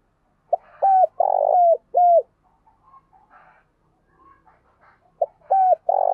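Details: Spotted dove used as a training decoy giving vigorous coos: a clipped opening note, a flat held coo, a long rough note and a falling slur, then a pause with faint murmurs before the phrase starts again.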